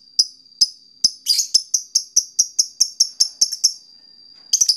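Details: Fighter lovebird calling a rival to make it trill: a few spaced sharp ticks, then a harsh burst and a rapid series of bright, high chirps, a thin steady whine between notes, and a final rasping outburst.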